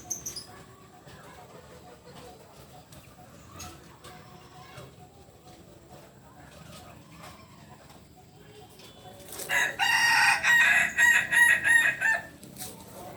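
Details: Pure-bred biriang kuniang Kukuak Balenggek rooster from Solok, West Sumatra. After about nine seconds of quiet background murmur and faint clicks, it gives a loud, long crow broken into a rapid series of pulsed, stepped syllables lasting about three seconds.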